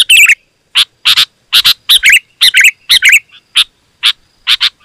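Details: Sooty-headed bulbul in dense, loud song used as a lure for wild birds: sharp chirps and bubbling warbled phrases roughly twice a second, ending with spaced single notes.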